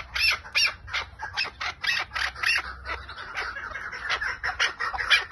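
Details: Chukar partridge in lal calling style: fast series of harsh, broadband chuck notes, about three per second, steady throughout with a faint low hum beneath.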